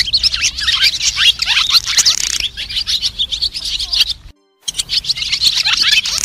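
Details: White-bellied black swallows twitter in a dense, overlapping flock-calling chorus of high, quick chirps and warbled notes, broken by a brief silent gap; the recording is used to lure swallows into nets.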